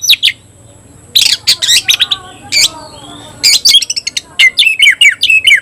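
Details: Kacer, or oriental magpie-robin, kept in a cage and singing in the 'tayoraky' variant style. Scratchy chattering bursts alternate with sweet rising and falling whistles, and clear silent gaps fall between phrases.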